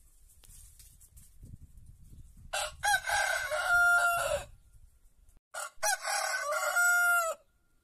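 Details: Two full crows from a white rooster in an Andalusian olive-growing village, about three seconds apart: each starts with rough syllables and stretches into a long harsh call ending on a steady clear tone. Faint low rumble between them.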